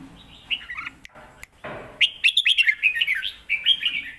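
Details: Caged Red-whiskered Bulbul singing a forceful 'lak wai' style master song, used for teaching young birds: a short warbled phrase, a pause with faint clicks, then a rapid run of bright, bouncing whistled notes.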